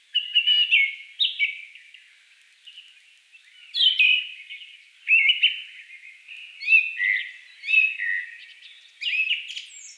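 Song Thrush singing loud, varied whistled and fluty phrases, each under a second, delivered in bursts every one to two seconds against a quiet background.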